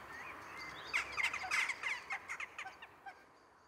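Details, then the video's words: Jackdaws performing their daily evening ritual above Ringenberg: a few scattered calls at first, then a rapid run of short, harsh notes, about three or four a second, fading to quieter single calls. "Dohlenritual am Abendhimmel - Jackdaw ritual in the evening sky"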